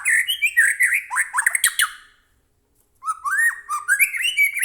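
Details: White-rumped shama in vigorous song, meant to provoke captive shamas into singing: a long tumbling run of whistles, swoops and harsh chatter, a pause, then another rising, varied phrase.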